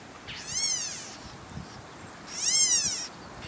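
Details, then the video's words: California Gnatcatcher in coastal sage scrub on bluffs of an estuary, Newport Beach, California, giving its squeaky-toy call: two harsh, nasal, kitten-like mews about two seconds apart, rising then falling; faint background hiss. "From the start of the trail, I could hear the squeaky toy song of the California Gnatcatcher."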